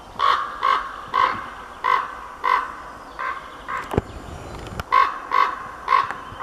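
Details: A male common raven gives a series of hoarse, croaking caws about every half second, with a quieter female raven calling in the background.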